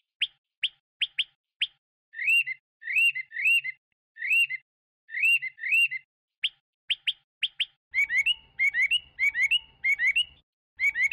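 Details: Chinese hwamei song of short sharp whistles in quick pairs, alternating with looping two-part phrases, then a denser burst of twisting whistles over a low hum near the end.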